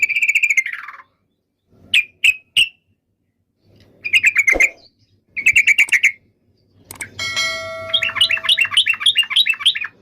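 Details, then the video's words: Yellow-vented bulbul: a falling slurred phrase, scattered sharp chips and short rattles, then a steady high tone with a quick bubbling chatter over it. "SUARA BURUNG TRUCUKAN"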